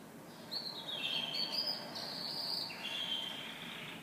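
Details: Canary singing in the morning: sustained high whistled trills and rolling phrases, some rising and falling, running almost continuously over a faint background hiss.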